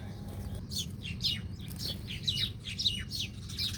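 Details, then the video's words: Birds feeding near tree roots give a rapid, busy run of short high chirps, many sliding downward, in overlapping bursts several times a second over a low steady background hum. "ഈ കിളി കൊഞ്ചലുകൾ കേൾക്കാൻ എന്ത് രസമാണ്! | Beautiful Bird Chirping Sound"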